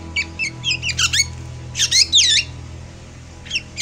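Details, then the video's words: Javan black drongo giving an emotional chattering song, kept to lure birds in moult: bursts of harsh, bending squawks and twisting whistles in short clusters, with a pause before two last notes, over a low steady hum. "Kacauan Penuh EMosi Srigunting Hitam Jawa"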